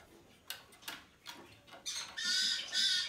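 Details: Hand-tame, Japan-bred blue-eyed cockatoo: several faint clicks and taps, then two loud, harsh, grating screeches close together at the end.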